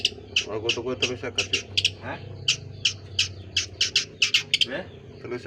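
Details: Strange call of a long-tailed shrike: harsh, squawky high notes delivered in rapid, uneven bursts and paired clicks, interrupted by short pauses, over low background noise.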